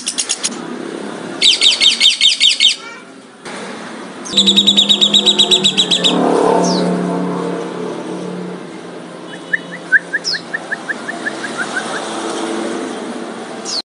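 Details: Lovebirds calling to provoke other lovebirds: bursts of rapid high buzzy chattering separated by gaps, then scattered single chirps and a quick series of short ticking notes, over a low background hum.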